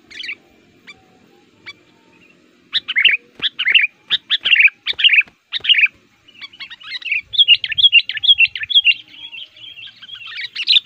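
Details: Sooty-headed bulbul, known locally as kutilang, singing lively and aggressively as a lure bird, said to suit luring wild males in forest. Loud, chattering bursts of bright chirps come in quick runs, then blend into a dense warbling stream.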